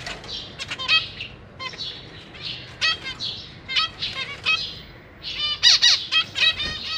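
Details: Captive zebra finches, parents feeding newly hatched chicks among three juveniles, in a cage; rapid bursts of nasal, harmonic beeps and hissy high chatter, with several birds calling over each other in irregular clusters.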